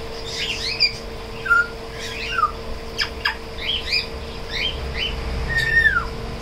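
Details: African grey parrot, tame, at a shop in Koramangala, singing: quick paired whistled upslurs, a few short clicks and a longer falling whistle near the end, over steady room hum.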